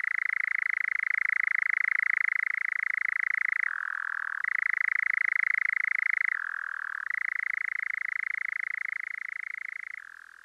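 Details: A male European Nightjar (Caprimulgus europaeus) on heathland in the evening as the sun goes down gives a long, continuous mechanical churr that drops in pitch every few seconds before rising again.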